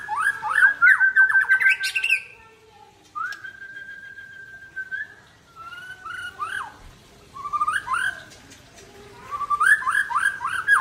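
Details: White-rumped shama from Aceh in full song after a midday bath: loud bursts of varied rich whistles and rapid slurred notes, with a long steady whistle between bursts.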